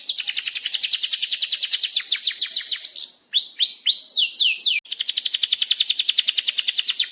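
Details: Canary song used as a lure to train other canaries: a long chirping roll of rapid, high, downward-sweeping notes repeated several times a second, broken midway by a few sharp whistled and buzzy phrases before the fast roll resumes.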